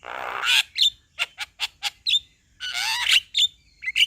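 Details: Male Javan myna singing to provoke a reluctant myna into calling: harsh broadband rasp, a run of short sharp chirps, then another long grating burst followed by bright whistled notes near the end.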